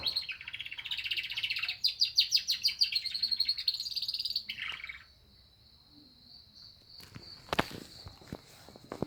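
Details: Atlantic canary in full, lively song, its repertoire filled with lovebird phrases: fast, high, buzzy trilled pulses for about four seconds, a short harsher burst, then a long thin steady whistle broken by a few sharp clicks.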